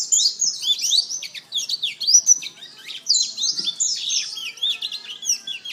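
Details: A black-throated canary, an African serin, sings a fast, continuous high twittering song of rapid trills, slurred notes and sharp chips with hardly a pause.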